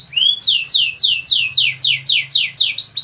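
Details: Canary song: after one rising whistled note comes a steady tour of about ten bright, downward-sweeping syllables repeated roughly four times a second, even and rhythmic throughout.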